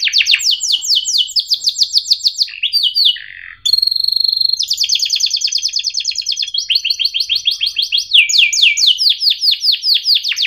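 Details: Domestic canary song used as a training model for young birds to learn: loud rapid trills of repeated sweeping notes in fast series, switching between trill types, with a brief steady whistled tone in between.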